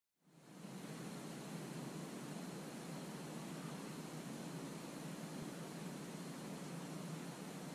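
Steady, even rushing like a waterfall or strong wind, broad and unbroken, with no animal calls.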